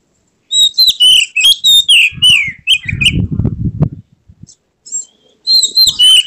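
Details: Oriental magpie-robin singing in an excited tail-spread display: rapid whistled and buzzy phrases, interrupted by a second of low rustling or fluttering noise, then the song resumes loudly.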